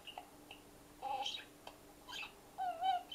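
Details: Pet parrot calling into an empty feeder it knows holds nothing, apparently enjoying the echo; short whistled and squawky notes in separate bursts with pauses between, some with a hollow resonant quality, recorded indoors.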